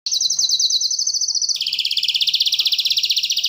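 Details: Canary song of two steady rapid trills, the first high and pulsing, the second dropping slightly lower and continuing fast and even.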